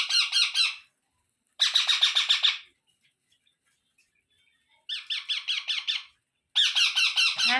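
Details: Indian ringneck parrot young being fed by a parent that eats and then feeds them; four bursts of rapid, buzzy, rasping pulses, each roughly a second long, separated by short silences.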